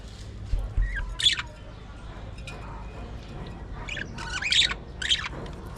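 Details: Budgerigars kept as an aviary colony utter short harsh squawks, one early and a cluster of three near the end, over quiet murmuring chatter.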